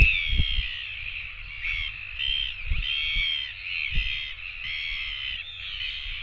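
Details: Several royal albatross chicks beg for food at a nest camera in New Zealand after one returns. Thin, whistled squeaks bend up and down in near-continuous overlapping calls, over low wind gusts that thump every second or so.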